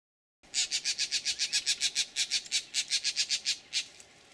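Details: Green jays giving a 'snake alarm' at a bullsnake at Laguna Atascosa National Wildlife Refuge, Los Fresnos, Texas, on 12 April 2017: a rapid series of harsh, scratchy chek notes, about five a second for over three seconds.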